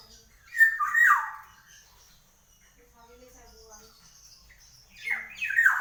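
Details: Black-naped oriole (golden-yellow kepodang) calling energetically: a loud grating, slurred squawk early on, a long quiet gap with faint murmuring, then another rasping nasal burst at the close.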